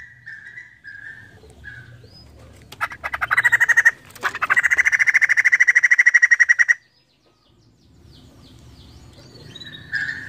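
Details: Female white-crested laughingthrush opening with a few short separate notes, then two bursts of fast, grating rattling screams, the second running over two seconds, followed by quiet and a few soft notes.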